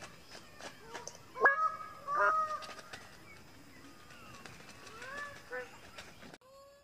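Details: Greater bird-of-paradise giving two loud, harsh, honking calls with strong harmonics, close together early on, followed by a busy background of fainter chirps and whistles from other forest birds, then near silence at the end.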